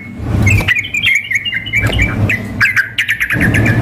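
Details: Sooty-headed bulbul female calling to a male, combined with a hard-singing bird for a contest simulation: clear, slightly whistled notes in short phrases, then faster chirp series, over low rumbling.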